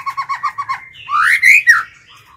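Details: Kept White-rumped shama decoy singing to provoke wild birds. A quick train of six even repeated notes, then a long, loud whistle sliding upward and dropping away at the close.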